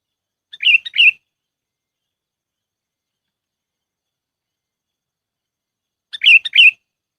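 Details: Lure call of a sooty-headed bulbul, played to attract birds for trapping. Two quick pairs of chirpy, bubbling notes sit about five seconds apart, with silence in between.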